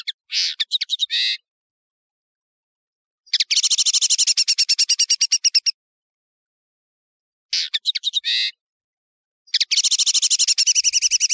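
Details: European serin, locally called nino or kamatcho, in a clear tutoring recording: bursts of very high, fast buzzy trills and jingling notes, each lasting one to two seconds, separated by pauses.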